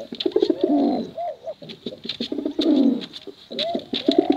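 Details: Male and female competition pigeons cooing in bursts: low, bubbling, drawn-out coos with short arched notes between them, repeated about every second, over light clicking.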